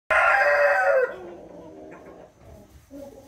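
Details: Rooster crowing, recorded 13 June 2021: one loud, harsh, harmonic crow held for about a second, ending in a falling drawn-out note. Quieter low clucking and murmuring background sounds follow.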